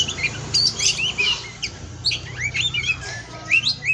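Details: Kacer (Oriental magpie-robin), captive at an Indonesian breeding farm, a 'pastol' tutoring song: softer scattered chirps and short rising whistles over a steady low hum, quick notes in loose clusters.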